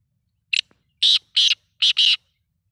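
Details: Kala teetar, the black francolin, gives its grating call: a brief first note, then two strong buzzy rasps and a tight double rasp to close, five notes in all within two seconds, against silence.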